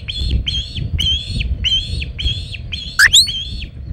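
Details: Osprey on the Hog Island nest, 27 August 2019, with a large shad: seven drawn-out, whistled chirps in steady rhythm, one broken by a quick sharp rising squeal near the end.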